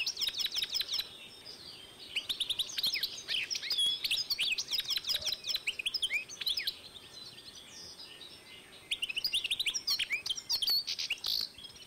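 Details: European goldfinch and canary hybrid singing in 2012: bursts of rapid, high twittering and trilled notes with buzzy rattles, pausing briefly mid-phrase before resuming.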